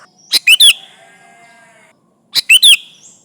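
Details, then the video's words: Sooty-headed bulbul calling rivals as a lure: two bubbly whistled phrases of three rapid notes each, about two seconds apart, the first trailed by a soft sustained tone. "Suara burung kutilang gacor memanggil lawan"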